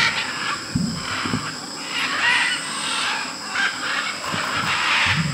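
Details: Macaws gathering among hundreds of parrots at a clay lick in Tambopata, Peru. Overlapping coarse squawks form a steady raucous chorus, with a few deeper brief calls and a persistent high insect drone.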